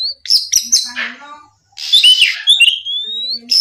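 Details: Morning song of an Oriental magpie-robin aimed at rival birds: high whistles and a harsh, noisy rasp, ending in a long, steadily rising whistled note.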